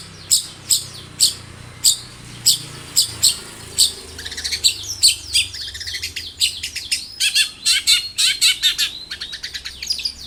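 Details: Actively singing long-tailed shrike with a varied repertoire, used as a lure to set other shrikes singing; evenly spaced sharp high clicks give way to a dense run of chattering, buzzy and trilled phrases.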